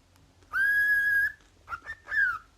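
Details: Indoor cockatiel calling: one long steady whistle at even pitch, then a brief gap and a quick pair of short whistles ending in a louder slurred note that falls away; low background hum.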